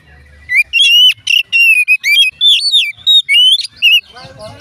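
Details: Song of an Oriental magpie-robin, played to prompt other magpie-robins to sing: a rapid run of about ten loud, sweet whistled phrases, some rising, some wavering, followed by softer twittering at the end.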